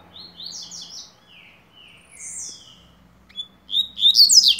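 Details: Rusty-collared seedeater performing tui tuí song notes for tutoring: a series of quick descending slurred whistles, a buzzy falling note, a pause, then a loud, rapid, sharp twittered ending over a faint low hum.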